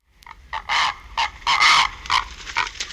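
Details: Purple Heron calling at the nest, close up as an adult arrives, then calls from the pair: harsh, rasping croaks in short bursts, about two a second, some overlapping.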